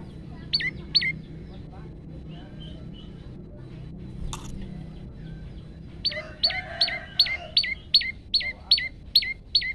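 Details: Male olive-backed tailorbird singing a long-shot variation, phone-recorded as a training master for other tailorbirds: a couple of sharp notes, a pause, then a fast run of about nine identical high, downward-hooked chips with a low hum behind.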